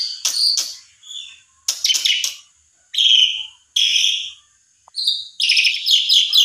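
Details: Asian pied starling singing in separate bursts to goad another bird: harsh crackling notes, a buzzy whistle, short silences, then a fast chattering trill.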